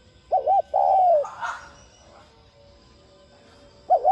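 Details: Spotted dove cooing in the 'thúc' voice style, used to stimulate other doves to coo: a low wavering double note followed by a longer, slowly falling hollow coo, with a brief rustle after it and the next phrase starting at the end.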